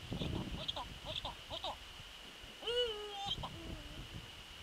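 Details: Eurasian eagle-owl calling at its nest on a winter evening, 27 December 2013. Soft scratchy rustling and faint ticks lead into one clear, harmonic, slightly falling call. A short, low, level note follows, against a persistent high background tone.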